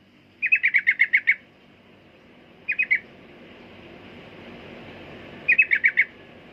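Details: Sooty-headed bulbul singing in rapid chattering bursts of three to eight sharp notes, separated by gaps of one to three seconds, against a steady background rush of noise.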